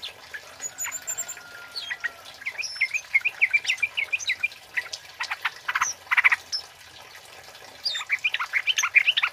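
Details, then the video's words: Loud 'cit keres' song of a male flowerpecker, kept for luring and tutoring; fast, irregular high chips and twittering notes, with quick clustered ticks near the middle and end, plus a faint steady background hiss. "Suara Burung Kemade Cit Keres Gacor Jantan Buat Pikat Dan Masteran"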